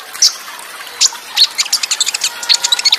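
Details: Olive-backed sunbird in the Cililin burst style, singing over trickling water. A few isolated high chips build into a quick run of bright twittering notes with tight pauses.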